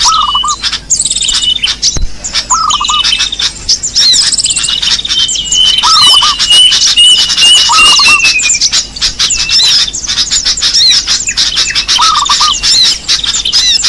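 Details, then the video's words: Dense small-bird lure chorus: short low chattering bursts repeat every couple of seconds, over a thin falling whistle and constant high twittering and chips from several birds. "Suara pikat burung kecil paling ampuh"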